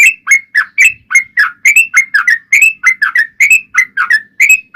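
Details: Yellow-vented bulbul in lively fighting-style song, played to provoke rival bulbuls into singing: steady chains of bubbly, slurred whistles, each note rising then dipping, repeated roughly three to four times a second without pause.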